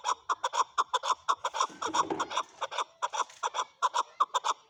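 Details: Male chukar calling: rapid clucking chuck notes repeated about twice a second in a steady run, harmonic-rich syllables with no other sounds.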